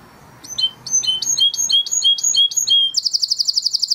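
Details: Crested Spanish Timbrado canary from 2020 breeding sings a training song. After faint background noise come repeated two-part chirps dropping in pitch, then a very fast, high, even trill.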